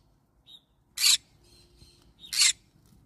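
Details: Two harsh screeches about a second and a half apart from a yellow-sided green-cheeked conure parrot, each preceded by a brief thin chirp, with soft twittering between.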